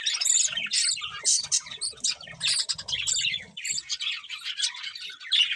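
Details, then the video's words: Pet budgerigars singing while eating, a dense stream of high chattering warbles, squeaks and buzzy chirps running continuously, with brief softer low clicks and pecking sounds underneath. "Beautiful Budgies Singing and Eating"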